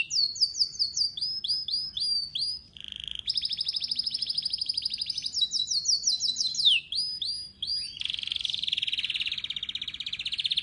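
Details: A Syrian canary (Serinus canaria) sings a long, unbroken song of high rapid trills and rolling tours, switching between repeated chirpy phrases and buzzy runs every second or two.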